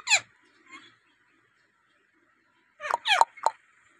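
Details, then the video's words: Domestic rose-ringed parakeet making varied sounds indoors: a harsh, downward-sliding screech, then a quick run of three grating squawks, over a steady indoor hum. "টিয়া পাখির নানা রকমের আওয়াজ"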